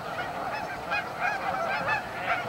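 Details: Canada geese gathered at a staging area on Amber Trails Lake, Winnipeg, a large flock producing an overlapping chorus of nasal, honking calls with no pauses, many birds calling at once.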